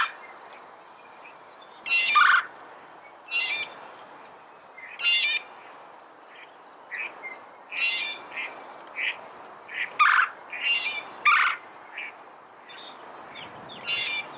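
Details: Red-bellied woodpecker calling repeatedly, with a run of short buzzy rolled notes, some louder and harsher, coming every second or so alongside fainter chirps, possibly from other birds.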